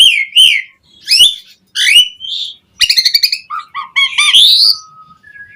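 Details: Asian pied starling in full song with varied material, meant to coax other starlings into singing: scratchy downslurred calls, a rapid buzzy trill, then low clear whistles and a long flat tone.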